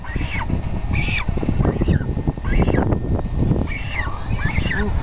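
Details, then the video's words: Cormorant chick being fed by its mother: repeated short, harsh, rising squawks in bursts about once a second over heavy low rumbling, possibly wind or handling noise. "Cormorant feeding her chick"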